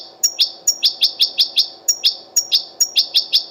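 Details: Wild European goldfinch at the Al-Qurai'a bird market on a Sunday, singing its 'batbata' phrases: sharp high chirps repeated about five times a second, each a quick downward-bending note paired with a thin higher tick, with a brief break midway.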